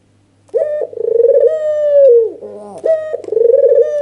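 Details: White red-eyed dove, an albino, cooing agitatedly with nodding display to provoke rival doves: a short rising note, then a long purring rolled coo that sags at its end, followed by a second coo.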